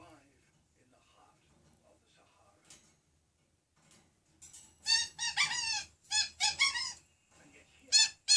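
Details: Pet African grey parrot in America, singing and whistling: after a quiet start, bursts of loud, rich, wavering whistled and squawky notes in rapid groups, with a final sharp call.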